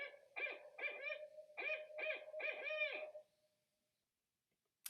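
A Barred Owl gives its rhythmic 'who cooks for you, who cooks for you-all': about eight husky, mid-pitched hoots over three seconds, ending in a drawn-out note.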